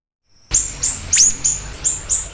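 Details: Siri-siri bird singing actively, used as a lure and tutor recording: six short, very high, sharp chirps, each with a quick downward flick, spaced about a third of a second apart after a brief silence.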